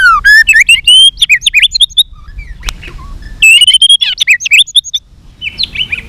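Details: White-rumped shama in fighting song, flicking its tail and singing in many voices: loud clear whistles rising and falling, sharp buzzy notes and quick chips in bursts, with a brief pause and low background rumble.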